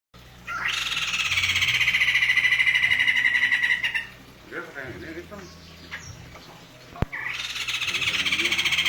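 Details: White-crested laughingthrush singing busily while dancing; a loud, harsh, rapidly pulsed cackling chatter runs for about three and a half seconds, drops to a quieter gap with faint soft notes, then the dense rattling chorus bursts back near the end.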